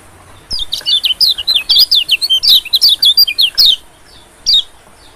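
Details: Lure call of a white-eye for catching small birds: a burst of about a dozen quick high zigzag chirps, a pause, then one more short chirp.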